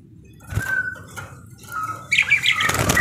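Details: Lively parakeet song: drawn-out level whistles broken by soft thumps, then a burst of shrill, squeaky chattering notes over low background rumble.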